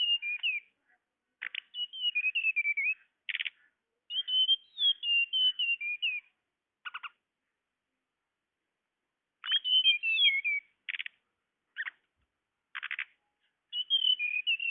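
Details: Tledekan call used to lure birds: alternating whistled, downward-stepping phrases and short, harsh, buzzy rattles, repeated over a long sequence with occasional pauses.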